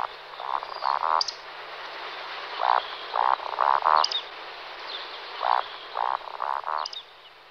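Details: Eurasian woodcock, two males in display flight (roding): low, hoarse grunting croaks in short series, each series followed by a thin, sharp, high squeak, repeated several times over a steady background hiss.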